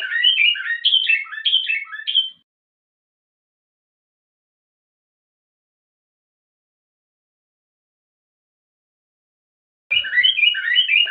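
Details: A common bulbul (Moroccan/garden bulbul) gives a bright, bubbling song of quick, fluty notes for about two seconds, a phrase with two variations; after a long silence the lively phrase starts again.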